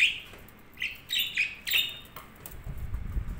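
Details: Pet budgerigars making sharp high chirps and squeaks in quick succession, followed by a low rumbling background noise toward the end.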